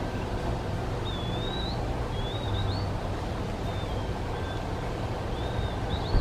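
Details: Eastern Wood-Pewee calling, answered by another, thin slurred rising-then-dropping "pee-a-wee" whistles repeated every second or so, over steady low rumble of wind or distant engine; species favours deciduous mixed woodland near water.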